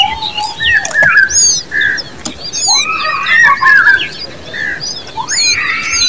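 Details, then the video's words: Young common babblers give wavering, squealing begging calls that rise and fall, mixed with thin high chirps and a few sharp clicks. "Common babbler birds babies with sound"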